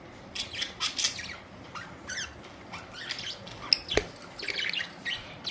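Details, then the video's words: Budgerigars, colourful parrots recorded April 19, 2023, producing scattered short high squawks and chirps with a sharp click near the middle, over a quiet background. "Budgies beautiful colourful parrots"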